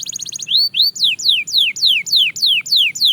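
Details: Singing Belgian canary, a brief high trill followed by loud, regular, sharply falling whistled notes repeated about three times per second.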